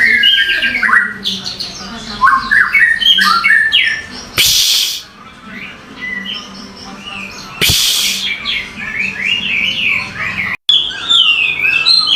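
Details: Birdsong of fast twittering chirps and slurred notes, repeated rapidly, interrupted by two sharp broadband noise bursts and a brief dropout.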